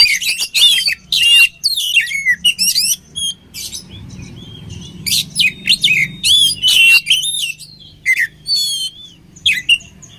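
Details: Oriental magpie-robin singing a combination song meant for training caged birds. Rapid varied phrases of sharp chirps, slurred whistles and buzzy trills come in short bursts separated by brief pauses throughout.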